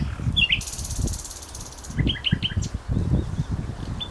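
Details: Songbird near Feldberg in Mecklenburg-Vorpommern, Germany, recorded 27 May 2011: a thin, high buzzy trill lasting about a second, then a run of short, sharp repeated chirping notes, with low rumble and wind-like noise underneath.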